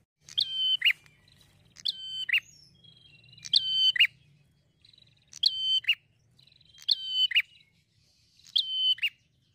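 A prinia repeats a bright, high chirping phrase of quick stacked notes ending in a sharp downward flick, about every one and a half seconds, over a faint low hum.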